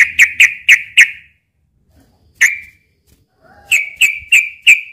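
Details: Daytime fighting song of a sooty-headed bulbul, used as a lure: four quick sharp whistled notes, a lone note after a pause, then a faint rising slur and five more rapid whistles.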